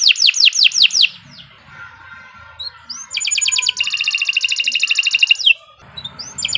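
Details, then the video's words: Continuous song from a Kenari Nusantara canary: a quick burst of downslurred whistles, a quieter stretch with soft scattered notes, then a long, fast, buzzy trill, with a low rumbling noise near the end. "Kicau Burung Kenari 134 II LUAR BIASA GACOR PANJANG Cocok untuk Masteran"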